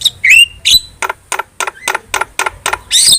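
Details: Starling kept as a cage bird, chattering 'gacor' song used as training material: a few high whistles rising near the start, then a fast series of harsh, rasping notes at an uneven pace, ending in a loud burst.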